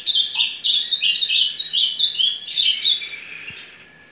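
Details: Azulão, the ultramarine grosbeak, warming up with surdina or carretilha song: a fast rolling series of short chirped notes, slightly rising toward the end before fading out, over a faint constant electrical hum.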